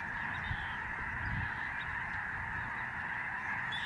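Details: Thousands of migrating Lesser Snow Geese in the sky over a Canadian bird sanctuary in November 2011. The honking merges into a thick, even chorus, with brief low thuds near the start.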